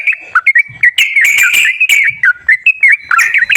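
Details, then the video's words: Sooty-headed bulbul song, played as a lure to coax a bird that will not sing: short liquid whistled notes that dip and rise, given in quick, separate bursts, with a few harsher broadband chattering notes mixed in. "TERAPI BURUNG TRUCUKAN MALAS BUNYI//ISIAN PANCINGAN TRUCUKAN YANG MALAS BUNYI"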